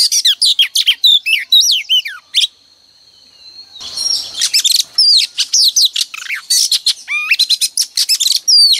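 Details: Female oriental magpie-robin singing as a decoy each morning to rouse males into song: rapid run of sweet whistles, slurred chirps and sharp rising notes, a brief pause with a steady thin tone, then the lively phrases resume.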